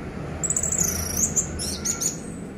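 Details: Orange-headed thrush, a caged bird, song played to coax silent birds into singing: a high, rapid run of trilled whistled notes sliding downward, followed by a few quick chirps over faint low background hum.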